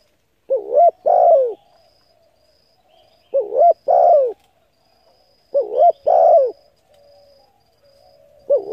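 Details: Steady spotted dove cooing to lure and stimulate decoy birds: four phrases about every 2.5 seconds, each a quick up-down double note then a prolonged falling coo, with faint humming between phrases.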